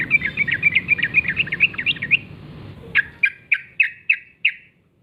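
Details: Typical morning song of a wild sooty-headed bulbul in forest gacor ngalas style. A fast, chattering run is followed by six clear, evenly spaced chirps that fade away.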